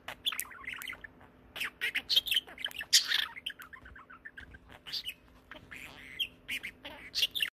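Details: A talking pet budgerigar speaking English chatters in rapid, scratchy bursts of high, speech-like warbling.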